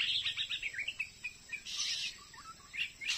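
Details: Oriental magpie-robin, wild, stuck on a glue stick near a house in Indonesia yet still singing and fighting a decoy: a rapid string of high chirps, then descending slurred whistles, with short bursts of harsh rustling.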